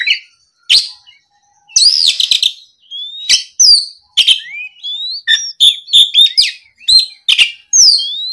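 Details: Oriental magpie-robin song to goad a rival, opening with harsh rasping bursts and gaps, then a fast run of sharp whistles and slurred notes.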